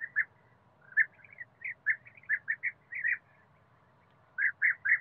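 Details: European bee-eater in a forest setting giving short, burry, liquid notes, singly and in quick runs of two or three, about a dozen over five seconds with a gap before a final trio; faint low hum underneath.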